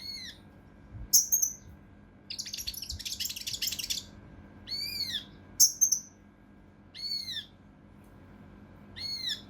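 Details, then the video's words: Mountain leaf warbler song for tutoring contest birds, style tembakan kasar rapat: shrill high whistles and curved ringing notes, broken by a dense two-second burst of harsh scratchy chatter, then more spaced notes. "TEMBAKAN KASAR RAPAT UNIK | SUARA CUCAK RANTE MAS UNTUK MASTERAN BURUNG LOMBA"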